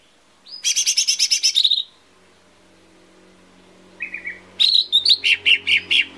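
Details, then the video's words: Lesser green leafbird lure song meant to prompt singing: a dense, fast trill of bright notes for over a second, a pause, a short lower buzzy phrase, then a run of spaced, repeated sharp chips. "SUARA PANCINGAN CUCAK IJO MINI"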